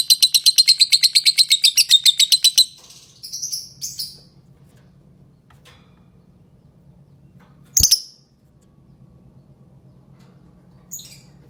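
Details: Lovebird producing a quick burst of shrill high chirps for under three seconds, then a few scattered squeaky notes over a low background hum with long quiet gaps.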